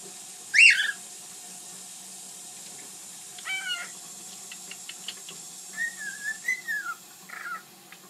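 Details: Pet bird from 2010 making funny noises: a loud harsh squawk, then a scratchy stacked call, scattered soft ticks, and finally a long wavering whistle followed by a short whistled note, over a faint steady hum.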